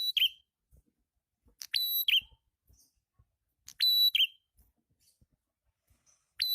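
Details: Prinia song played as a lure, with the red-headed prenjak named. Bright, piercing level whistles, each closed by a short descending trill, come in irregular bursts with quiet gaps between them.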